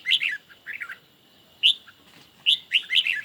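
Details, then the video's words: A caged red-whiskered bulbul sings against a phone playback in a song duel on a sunny day, giving short, sharp, whistled chirps in groups of two or three with brief silences between phrases. "Chim Chào Mào Của A Tủa Hót Đấu Với Điện Thoại Cực Xung."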